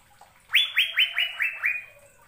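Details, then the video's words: Asian fairy-bluebird song from a training recording for caged birds: six ringing upslurred whistled notes in quick succession, slightly falling in pitch across the series, over a quiet background. "BURUNG CUCAK BIRU GACOR"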